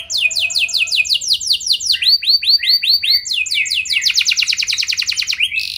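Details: Canary singing in full voice, a lively lure song meant to make other canaries answer: fast repeated downward-sweeping whistles, then a run of rising upsweeps, ending in a rapid high trill, all bright and loud with no other sounds.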